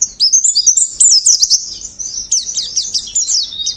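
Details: Oriental white-eye master song for training, a fast, high, tumbling stream of thin twittering notes and quick warbled phrases running on without a break.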